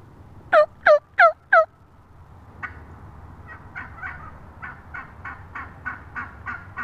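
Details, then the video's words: Wild turkey hen recorded up close on March 22, 2017: four loud, sharp downward-slurred notes in quick succession, followed by a longer series of softer, evenly spaced calls about three per second. "Wild turkey hen up close"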